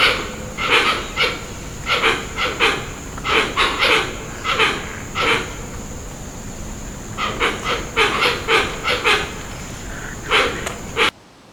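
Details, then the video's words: Hoatzin growling in deep, harsh, hissing bursts, grouped in quick runs with a quieter pause midway, over a constant thin high whine; the sound cuts off abruptly at the end. "Hoatzin Bird Sound 🐦 | Strange Growls Like a Dinosaur"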